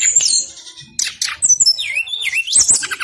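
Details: Male brown-chested jungle flycatcher in insistent song, meant to lure lazy singers: high whistled notes sweep down and then climb in a wavering glide, mixed with short scratchy bursts.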